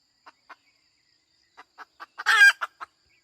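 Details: Hen clucking: two soft clucks, a short pause, then quickening clucks that burst into a loud, grating squawk, ending with two more clucks.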